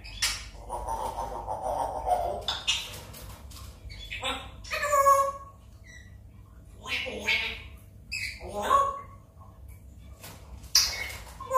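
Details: One-and-a-half-year-old pet African grey parrot in a morning talk with its owner: mixed squawks, whistles and speech-like phrases in short bursts, with a human voice and low room hum.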